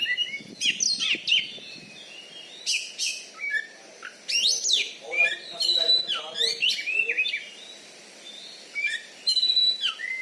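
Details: Oriental magpie-robin, a competition champion kept in Bengkulu, Indonesia, with a loud voice and a fighting style that overpowers opponents; rapid mixed chirps, whistles and buzzy notes in bursts, with faint low murmuring beneath.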